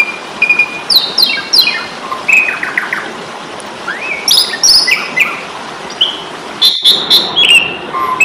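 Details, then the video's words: Asian pied starling singing aggressively as a fighting tutor song: descending stepped chirp series, rising slurs, high bright whistles and rapid clipped notes delivered in bursts, with constant low hiss beneath. "Masteran jalak suren ,pasti tarung"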